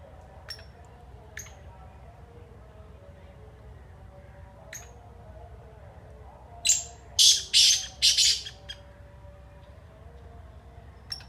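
A black francolin gives a single loud, harsh, grating phrase of about five rasping notes in quick succession, with a few faint ticks before and low background hum.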